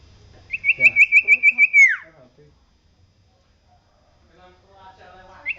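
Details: Common iora singing for a songbird training recording: one rapid trill of about nine pulsed notes ending in a downward slur, followed by near silence and faint low chatter.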